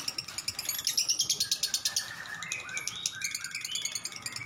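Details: Lovebird 'ngekek panjang' chatter: rapid shrill pulses mixed with rising and falling high notes, uneven in loudness, fading in the second half.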